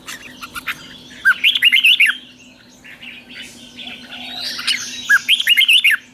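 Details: Lure song of a red-whiskered bulbul meant to attract wild birds, two warbled whistled phrases with rapid up-and-down notes, each opened by a short low slur, over a steady faint hum.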